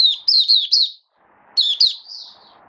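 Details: Oriental white-eye, a caged hobby bird in build-up form, recorded 19 September 2022, gives two quick high warbling phrases of sliding, chirpy notes with a brief silent gap between them.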